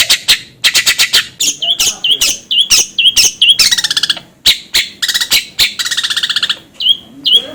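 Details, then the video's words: Long-tailed shrike lure song meant to spur another bird into song: sharp clicks and rasping bursts mixed with repeated upward-hooked whistles and buzzy rattles. "PANCINGAN CENDET AGAR CEPAT gacor."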